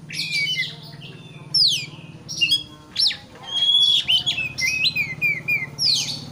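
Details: Oriental magpie-robin singing to agitate a rival bird: loud descending whistled slurs and sharp upswept notes alternate with raspy buzzy phrases, delivered almost continuously above a constant low droning hum.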